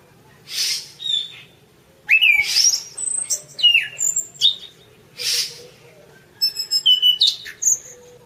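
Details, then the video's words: Orange-banded thrush, called anis cendana, in a masteran song recording: bursts of rapid whistled notes and sharp high sweeps separated by short pauses, with several harsh noisy bursts between phrases. "suara kicau burung anis cendana : masteran anis cendana"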